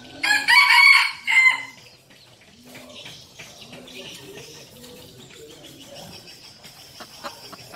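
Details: Crow of a decoy red junglefowl opens the recording: a loud, raucous phrase of about a second, then quieter low repeated cooing notes and light background chirps.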